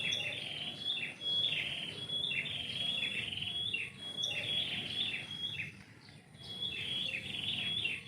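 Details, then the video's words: A bird singing in the morning from a tree in a house yard; clear whistled notes that slide downward, repeated about once a second, over a steady low background hum. "kicau burung pagi ini"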